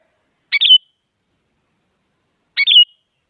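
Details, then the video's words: Sooty-headed bulbul female calling a male, aimed at stirring silent bulbuls: two identical quick phrases, a sharp note then a buzzy descending twitter, about two seconds apart, in a silent background. "Suara Burung Kutilang Penyemangat Kutilang Malas Agar Bunyi Jadikan Kutilang Diam Gacor Emosi"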